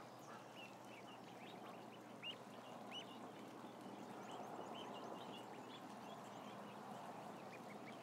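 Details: Crowd of about a thousand ducklings on a live camera, giving a dense chorus of short, high, bending peeps that overlap continuously, several each second, over a steady broad hiss and low hum.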